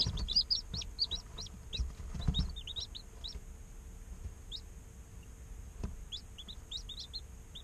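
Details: Day-old chicks chirping in an incubator: a busy cluster of sharp high peeps early on, thinning to scattered single chirps, with a faint click and low background hum.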